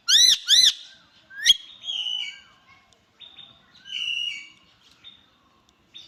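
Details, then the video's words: Indian ringneck parakeet, described as talking: two loud, harsh, arched squawks open, followed by a sharp click and then softer warbled whistles and chattering phrases with quiet gaps. "Natural Talking Parrot Sound"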